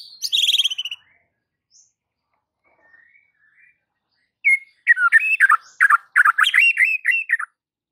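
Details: White-rumped shama song used as a lure to set other shamas singing: a bright descending whistled phrase, a pause with faint notes, then a fast jumble of varied warbled and whistled notes lasting about three seconds.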